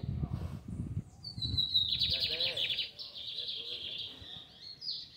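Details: Low rumbling noise opens. Then a lined seedeater, singing in a square of the Fátima neighbourhood, gives a high whistle followed by a long, fast, buzzy trill with a few softer high notes after it.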